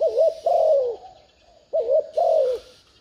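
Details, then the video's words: Spotted dove decoy calling in the thúc gù urging pattern to excite wild doves: two mellow phrases, each a rippling short coo then a longer downward-slurred one, with a steady hiss in the background. "Tiếng chim cu gáy thúc gù kích mồi mở lên bổi gáy liền"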